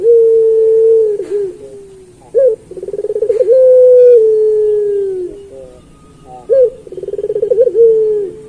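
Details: Master song of a pelung turtle dove used to train others: drawn-out low coos alternate with sharp short hoots and quick throbbing trills, the cycle repeating roughly every four seconds.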